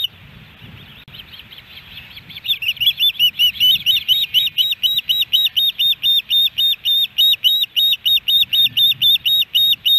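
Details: Osprey at the Hellgate Canyon nest, Missoula, Montana, 13 July 2018, during fish deliveries; after a few seconds of quieter chatter, loud, insistent piping whistles begin and repeat briskly, about four each second, clear and evenly spaced.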